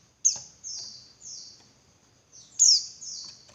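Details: Female Javan white-eye call meant to stir males to sing more insistently: very high, thin downward-sweeping notes, a sharp opening note then several softer drawn slurs, repeated in two bursts with a quiet gap between.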